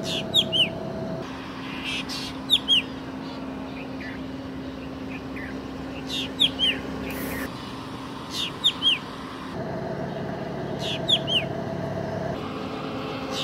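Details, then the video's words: Drongo, India, gives sharp, metallic, down-slurred notes in clusters of two or three, repeating every two seconds or so over a low mechanical hum. "Drongo / Bird Song"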